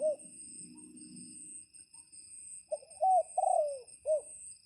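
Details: Red junglefowl decoy crowing to call in wild birds during rain: a low rumble early on, then a multi-part crow with short clipped notes and a drawn-out falling phrase. A steady high insect whine runs throughout.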